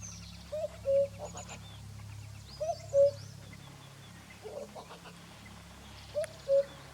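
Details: White-throated laughingthrush at Chopta, Uttarakhand, India, in May 2016: a low, mellow two-note whistle, a short upslur then a level note, repeated every two to three seconds, with faint high chirps from other birds and a low hum.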